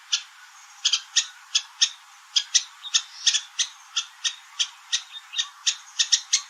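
Red-whiskered Bulbul giving short, sharp chirping notes, about three a second in uneven bursts, over a faint hiss.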